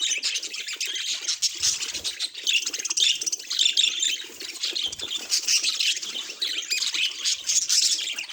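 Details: Continuous budgerigar chatter from a pet bird: high, rasping warbles mixed with squeaky chirps and short squawks, evenly loud and unbroken across the whole stretch.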